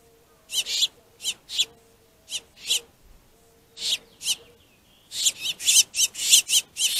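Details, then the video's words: Finches squabbling over a plentiful food source give harsh, raspy buzzing calls in quick bursts, roughly two per second, with a denser run of scratchy notes near the end; a faint low hum underneath. "Pissy Finches"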